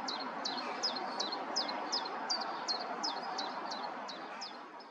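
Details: Common chiffchaff perched on an aerial at Summerleaze, singing a steady run of about twelve sharp, high, downward-swept notes in even rhythm, roughly two and a half per second, against constant low background hiss.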